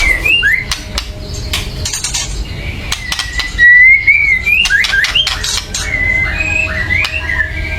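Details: White-rumped shama in an agitated mood, calling to rouse other birds to sing: clear whistled notes wavering up and down, hooked upslurs in groups, many sharp clicks between phrases.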